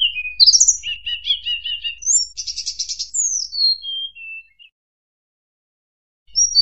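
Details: Lure-call recording of a small mountain flycatcher, the snowy-browed flycatcher, singing a thin, high song of quick sweet notes and a short buzzy trill, then falling whistles, a pause, and the phrase starting again.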